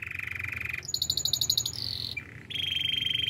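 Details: Domestic canary song used for training other canaries: a steady buzzy trill, then a fast run of bright pulsed notes, a sliding whistle, and a long high rolling trill, with a low hum underneath.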